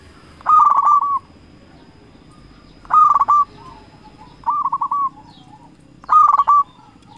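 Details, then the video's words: Local zebra dove calling as a lure for rival doves. Four short, rolling coo phrases repeated at intervals of about two seconds against quiet background. "Perkutut Lokal Gacor Raja Pikat Paling Ampuh Ahlinya Bikin Lawan Gacor Nyaut"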